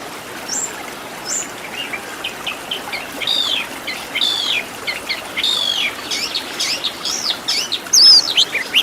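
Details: Oriental magpie-robin master song for training caged birds, with 'isian' fill-in phrases: soft high notes at first, then a steady series of arched whistled chirps building up, ending in a sharp high whistle.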